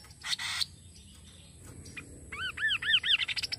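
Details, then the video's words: A Kaso-kaso bird, a call meant to stimulate other kaso-kaso birds to call, gives a quick run of arched, down-slurred chirps, about four per second, after two short harsh bursts; faint outdoor background. "Suara burung Kaso kaso"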